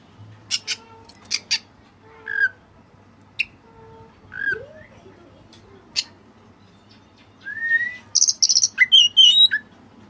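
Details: White-breasted oriental magpie-robin singing vigorously, a songbird training recording with its song filled with Cililin phrases. Scattered sharp chirps and clicks, a low rising slur, then a burst of high varied whistles and trills near the end.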